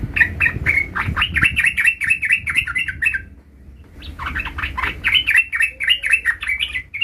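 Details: Vocal yellow-vented bulbul practising the 'ngerol' rolling song: long runs of rapid, bubbling, warbled notes repeated in fast chattering series, a brief pause, then another extended rolling burst, with faint background noise.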